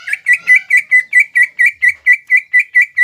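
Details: Greater green leafbird, Indonesian cucak ijo, singing in the mbeset style to provoke rivals: a rapid run of sharp, bright chirps repeated a little over twice per second, each note with high overtones, steady and insistent throughout.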